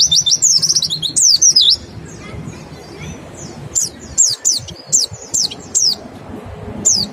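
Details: Mountain white-eye lure for prompting song, 'nembak' and 'ngecal' style: a fast twittering run of high falling whistles, a quieter gap, then evenly spaced single piercing downslurs.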